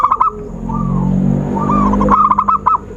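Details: Zebra dove call for luring birds into traps: short stuttering coo bursts at the start and end, separated by softer, drawn-out cooing notes, over low background rumble.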